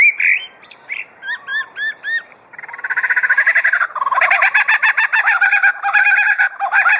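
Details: Superb lyrebird in captivity at Adelaide Zoo mimicking other sounds: repeated sharp upswept whistles in a quick series, then a long dense rattling chatter like a flock of lorikeets or machinery, rapid and continuous.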